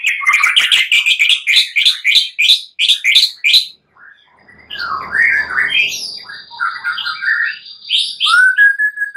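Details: Night song of a white-rumped shama for spurring birds into song: a fast series of about fifteen identical bright chirps, a short pause, then varied whistles and a long sustained high note ending in a clear rising slur.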